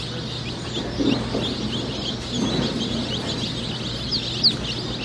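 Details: Brown Leghorn chicks in a hatchery setting, numerous high thin cheeps and peeps overlapping, a couple of sharper louder peeps near the end, over a constant low hum.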